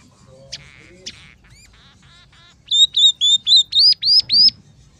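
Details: Scaly-breasted munia (emprit peking), a vocal bird whose song includes sparrow, red siskin and canary phrases. Soft buzzy notes and a few chips, then a loud series of seven clear rising whistled notes.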